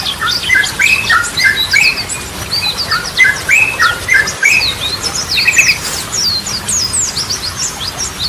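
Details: Yellow-vented bulbul (trucukan) singing vigorously in the Goklikan and Ropelan styles used as a lure: a dense stream of bubbly, slurred whistles and chirps at mid to high pitch, almost without pause.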